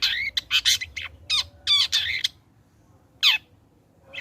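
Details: Long-tailed shrike singing after the trotol moult, a lure meant to make other shrikes sing: dense rapid chatter of whistles and raspy notes, a pause, then one downslurred rasp, over low hum.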